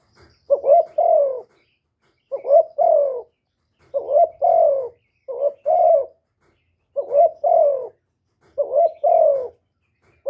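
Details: Spotted dove (cu gáy) in a calling, urging and cooing sequence: paired phrases of a short upturned note followed by a longer falling coo, repeated six times about every one and a half seconds with clean gaps between.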